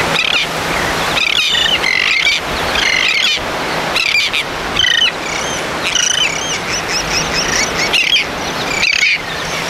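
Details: An American oystercatcher foraging along a Florida Gulf beach shoreline gives loud, sharp piping whistles in quick bursts every second or so, over a steady hiss of surf.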